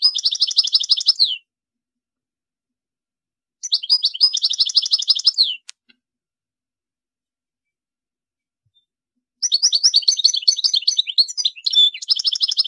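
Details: European goldfinch delivering repeated bursts of a fast, dry, buzzing trill, each about two seconds long and separated by silent pauses, the last passage becoming a more varied twittering run with a short clear whistle.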